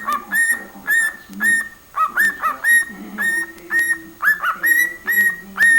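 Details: Cockatiel singing and talking: a series of short, clear whistled notes, each sliding upward and then holding a steady pitch, repeated about twice per second, with a faint low murmur underneath.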